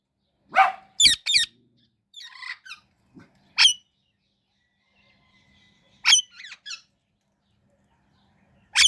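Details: Indian ringneck parrot chirping: loud, harsh, high squawking chirps arrive in short bursts and doubled notes, some with rapid trilled edges, separated by quiet pauses over about nine seconds; a faint whistle-like tone runs between bursts.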